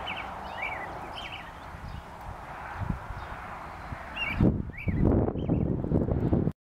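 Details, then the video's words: American robin singing in spring, April 25, 2018, in south central Saskatchewan, Canada: short warbled phrases, repeated in brief bursts, rather faint over a steady low rumble of wind, with louder rustling noise near the end. "American Robin singing"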